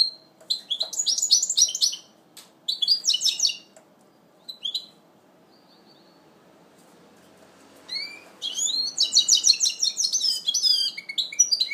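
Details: A 2012 goldfinch mule in first moult sings in bouts of dense, buzzy twittering separated by pauses, with a few isolated chirps, before launching into a long, fast, jumbled warble.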